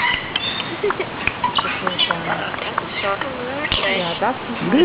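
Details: A talking common hill myna mimics speech. Phrases like "Das ist ja gemütlich" and "Hallo Süße" are in its repertoire. Rapid, chattering, voice-like syllables with bending tones form a dense stream throughout.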